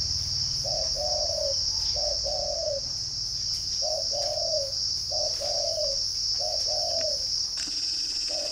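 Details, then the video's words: Spotted dove in Ba Vì, Hanoi, northern Vietnam, kept at a bird farm, repeating its coo about every 1.3 seconds: five or six pairs of a short note and a longer dropping note, over steady high-pitched cricket noise. "chim cu gáy"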